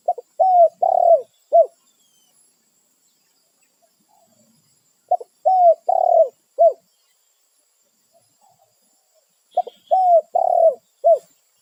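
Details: Spotted dove in the wild, territorial, calling its companions with low, soft cooing phrases: a brief lead-in note, two or three drawn-out falling coos and a short end note, repeated three times roughly every four and a half seconds against a silent background.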